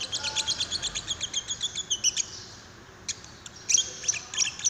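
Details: Lovebird chirping used to trigger another lovebird's singing: a quick regular run of high chirps, then a short pause, then scattered sharp squeaky notes.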